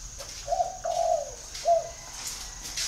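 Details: Spotted dove, called 'bông đầu (hoa mơ)' in Vietnamese, giving low mellow coos: a short note, then a longer drawn-out coo, then a final short coo after a pause, over faint steady background hiss.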